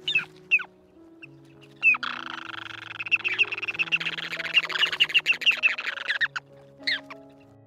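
Ruddy Turnstone: a fast, rattling chatter of sharp notes lasting about four seconds, with a few single clipped calls before and after, over soft background music.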